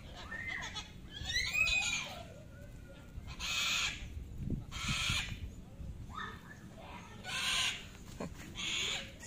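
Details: Sulphur-crested cockatoos, a male and female living free and playing in a residential housing complex, giving loud, harsh, broadband screeches in bursts about a second long, repeated irregularly, with quieter chatter and faint voices between.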